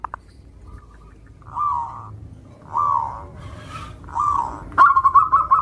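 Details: A local Javanese zebra dove from Cilacap, Central Java. Soft rolling coos come in separate bursts, then a quick run of staccato notes, over a faint background hiss.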